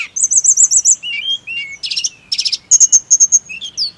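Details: Snowy-browed flycatcher song used as singing therapy: a rippling high trill of five notes, lower slurred whistles, buzzy bursts, then sharp repeated high chips about every fifth of a second.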